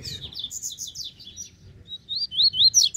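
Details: Wild double-collared seedeater near a cage, having come from the grass, sings a brisk string of sharp descending chirps, then a rising series of clear whistled upslurs climbing into loud, harsh notes.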